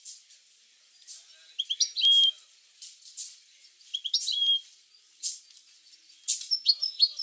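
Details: European goldfinch singing, a recording meant to stimulate other goldfinches to sing: scattered high tinkling notes and brief twitters with a clear whistled note, broken by sharp broadband clicks and rustles.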